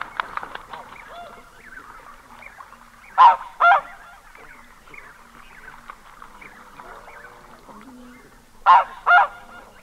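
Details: Lone red-breasted goose recorded close, producing paired shrill honks twice, about five seconds apart, with soft rapid chattering and murmurs filling the gaps.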